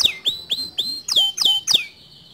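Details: White male canary in song, giving a short run of sharp downslurred whistles, six notes spaced under half a second apart, ending in a brief level whistle.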